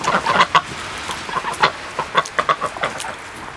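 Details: Two pet domestic ducks at feeding time, aware that food is coming: short nasal quacks on a steady mid pitch, given in quick uneven bursts of two or three per second, over faint room noise.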